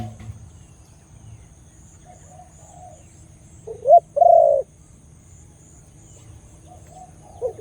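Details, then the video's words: Khmer dove with a big sound coos once, clearly. Two brief notes are followed by a long, deep held coo, with faint distant cooing before it and the start of another phrase at the end. "The sound of Khmer Dove and big sound / លលកខ្មែរសម្លេងធំ"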